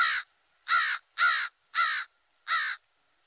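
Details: An American Crow, a species found throughout the forest, gives five harsh, raspy caws, each about a quarter-second long, in an uneven series over three seconds; nothing else is heard.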